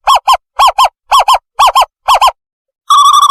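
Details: Owl calling as a lure for trapping owls. Arched notes come in quick doubled pairs, five pairs in a row, then a sustained wavering tremolo tone begins at the end.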